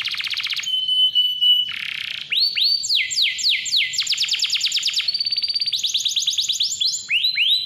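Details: Chatty, clear-voiced canary song, used to prompt young or silent canaries to sing: a buzzy trill, a flat held whistle, a harsh burst, then long rapid runs of rising upslurred notes and fast rolling trills, loud and unbroken.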